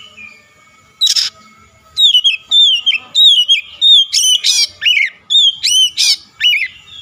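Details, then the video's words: Oriental magpie-robin used as a lure to make a rival sing: a rapid, continuous series of loud whistled notes mixed with harsh buzzy squawks, roughly ten phrases in six seconds. "PANCINGAN KACER LAWAN LANGSUNG BUKA SUARA GACOR"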